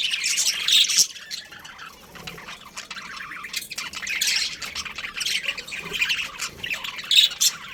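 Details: Chirping from a breeding pair of budgerigars, uneven bursts of sharp high twittering and squawky notes separated by quieter stretches of soft chatter, loudest near the start and the end.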